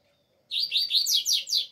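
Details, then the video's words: A double-collared seedeater (coleiro) in still-cold weather sings a quick run of five or six bright, buzzy chirps, each slurring downward, in a high pitch, over a faint low hum. "COLEIRO ALEGRIA"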